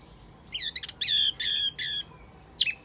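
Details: Wambi lure call, described as a very effective trapping lure: a few high, squawky notes sliding down, then sustained buzzy tones, with a short high burst near the end.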